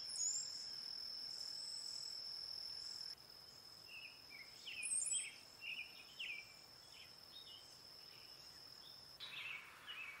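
Brown-headed cowbird giving short liquid gurgles and slurred notes, with a few thin, very high squeaks, over a steady high insect trill.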